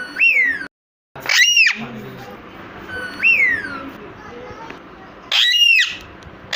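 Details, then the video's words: Caged parrots shouting, recorded 14 August 2022: loud whistled calls that rise and then slide down, alternating with harsh bursts, repeated several times over a background hiss. "my parrots shouting for freedom"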